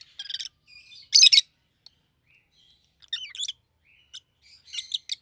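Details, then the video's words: Rosy-faced lovebird pair, one yellow and one green, red on the head: rapid chattering notes, a loud screechy burst, then wavering twitters and clustered chirps. "Lovebird's Sounds"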